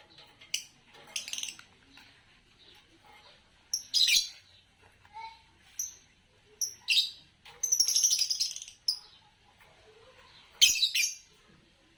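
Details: Green Fischer's lovebird chattering through a dozen or so short, shrill chirps and buzzy squeals, some in tight clusters, with brief clear whistled notes mixed in.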